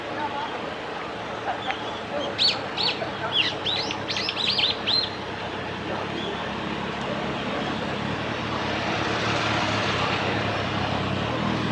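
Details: Japanese waxwing (Bombycilla japonica) in Hiratsuka, Kanagawa, Japan, on 14 February 2021, giving a quick burst of high, thin, lisping trills over about three seconds, against a steady background rumble of traffic and wind.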